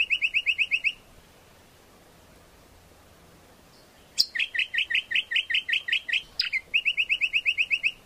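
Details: Greater green leafbird song played as a lure and master song for training birds: bursts of rapid, evenly repeated bright whistled notes, with a near-silent gap before fast repeated phrases resume.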